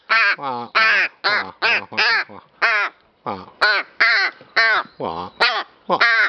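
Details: Playing rook with feather and flower: a steady series of rough, nasal caws, roughly twice per second, some longer and some clipped.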